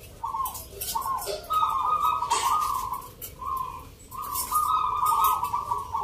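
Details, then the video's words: Competing local zebra doves sing Nglagu Ngepat Mentaraman rhythm at a contest in Yogyakarta on 19 November. Short rolling coo notes quickly give way to long trilled phrases, with a few sharp clicks and a low hum underneath. "Pertarungan sengit Perkutut lokal irama 😱Suaranya ngerih"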